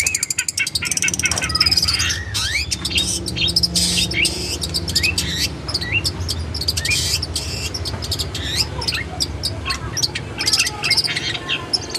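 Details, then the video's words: Tutor song of a long-tailed shrike, used to train kept shrikes into energetic singing. Dense twittering runs of sharp chirps, upslurred whistles and fast clicks pour out continuously over a low background rumble. "MASTERAN CENDET GACOR MANTAP"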